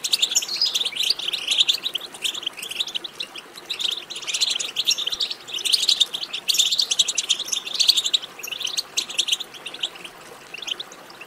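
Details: Goldfinch song recording for prompting another goldfinch to sing: sustained bright, quick-fire twitters and tinkling notes across the whole stretch, slightly quieter toward the end.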